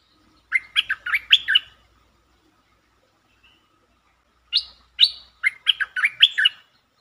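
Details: Streak-eared bulbul singing in several song styles, including long and doubled songs, used as a lure sound, recorded 13 February 2023; two bursts of quick, chattering whistled notes rising and falling, separated by about three seconds of silence.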